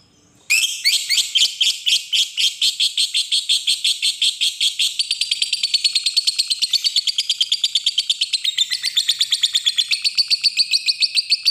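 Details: Lovebird giving a long ngekek trill used as a lure to call a rival: a dense, shrill chattering run of rapid repeated notes lasting about eleven seconds, steady in rhythm and shifting slightly lower midway.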